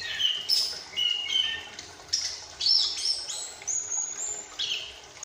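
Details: Young chestnut-capped thrush, kept as a banded cage bird, just past its spotted juvenile stage and actively twittering while learning full song; rambling run of varied high whistles, chirps and short trills, with fast pitch jumps and little pause between phrases.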